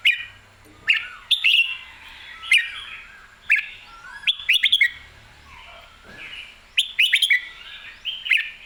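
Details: Lively Red-whiskered bulbul singing clearly, repeating short whistled, bouncy phrases roughly every second, some ending in quick twittering trills, with occasional sharp clicks between phrases.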